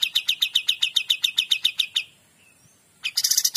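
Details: Kapas tembak singing 'gacor dor': a quick series of ringing high chirps at a steady rhythm, a short pause with a faint falling whistle, then a new, brighter burst of rapid notes.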